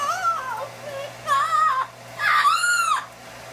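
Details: Brian, a pet Yellow-naped amazon hatched in 1987 and worked up by a blow dryer running nearby, gives three drawn-out, wavering whistles, each half a second to a second long, rising and dipping with a whiny, almost crying tone over faint room hum.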